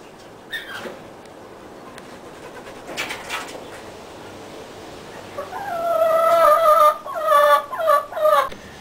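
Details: Chickens kept in a backyard flock: quiet scuffling at first, then a run of strong, nasal, pulsed calls in quick succession over the last three seconds.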